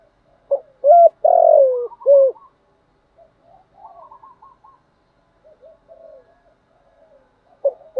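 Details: Cooing spotted dove, the call used to excite wild doves and train lure birds; a single loud phrase of short coos and a long falling buzzy note, followed by faint, softer murmuring coos and a clipped note at the end.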